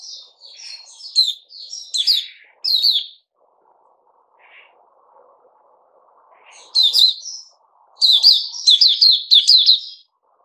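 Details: Bulbul kept in captivity delivering loud bursts of quick, sharp chirps and warbles in clusters, with a pause of a few seconds before a fresh rapid run of notes. Faint low rumble between phrases.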